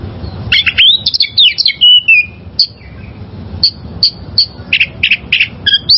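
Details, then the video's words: Song of a wild oriental magpie-robin, recorded to train caged birds: a tumbling run of rising and falling whistled slurs, then evenly spaced clear high notes and buzzy chips repeated about every half second. "Masteran Suara Burung Kacer Liyar"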